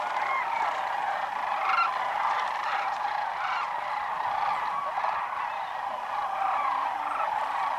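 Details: Thousands of migrating sandhill cranes fly in wave after wave around noon at Whitewater Draw, southeastern Arizona, on 1 January 2012, after a morning of foraging in the fields, filling the air with continuous overlapping rolling, trumpeting calls in a dense bugling chorus.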